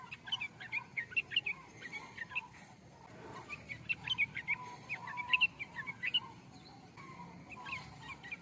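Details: Yellow-vented bulbul delivering bubbly, chattering phrases of quick liquid notes in bursts of about two seconds, separated by brief pauses, over faint low background rumble.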